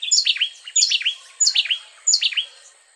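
Two wrens trade notes in a duet: bright, high whistled and slurred phrases repeated roughly every three-quarters of a second, sounding like a single singer.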